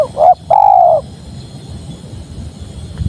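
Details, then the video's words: Spotted dove cooing: a short hooked note, then a longer, steady, slightly falling coo lasting about half a second. Quiet background hum follows. "Suara Tekukur Padu Enak Didengar"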